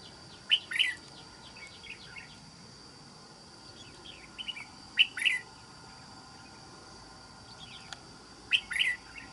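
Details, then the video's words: Red-whiskered bulbul, a trap bird described as having a fine wild island-forest voice, repeats a short bright warbling phrase about every four seconds, with softer chirps between phrases and constant low hiss. "Bẫy Chào Mào. Mau Mỏ . Bung Xoè.Gốc Mào Cao Dày . Giọng Rừng Đảo Tốt"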